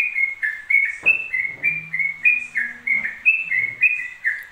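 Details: Yellow-vented bulbul pouring out ropel song without pause: clear, slightly slurred whistles alternating high and low in a rapid rhythm, with a brief thump and a faint low hum underneath.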